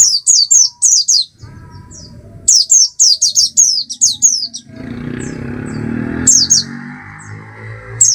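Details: Bursts of thin, high, falling chirps from an Oriental white-eye (Zosterops palpebrosus), quick repeated notes early on, then a louder stretch of broad background noise with only scattered calls.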